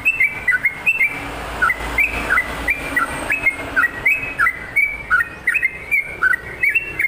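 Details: Energetic sooty-headed bulbul song: quick bright whistles, most sliding downward, delivered in an unbroken string of short bubbly phrases about three notes per second, with steady background hiss.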